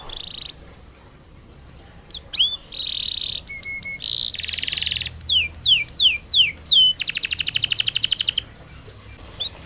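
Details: Canary song played to prompt other canaries into singing. A quiet start gives way to bright notes, a buzzy trill, a run of sharp falling whistles and then a long fast rattle. It ends abruptly with a final chip.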